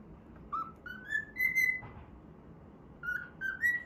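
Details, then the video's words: Cockatiel singing during play, whistling notes that climb stepwise to a held tone, then after a pause two lower notes rising again, with faint room noise underneath. "歌いながら遊ぶミロ｜Milo playing while singing."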